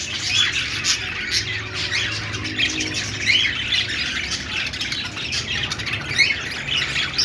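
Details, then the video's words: Budgerigars, several pet birds described as happy, give a dense, continuous chatter of high squawks, chirps and warbled notes, overlapping with no pauses and no other clear sounds. "Budgie birds sounds | love birds sounds |parakeet chirping noises |Australian parrot singing |"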